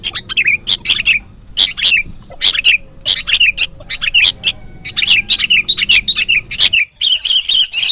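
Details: Lure mix of sooty-headed bulbul chick begging for trapping: a rapid, busy series of sharp chirps, many ending in down-slurred tails, running almost continuously and closing in a brighter, denser burst of high notes.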